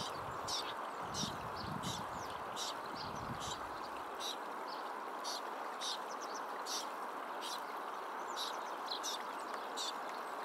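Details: Juvenile Tibetan Snowfinch following its parent and begging to be fed, in a flock at a small stream beside cultivated fields at Mudh, Pin Valley National Park, Himachal Pradesh, 8 July 2021: rapid thin high chirps about twice a second over steady rushing water, low voices early on.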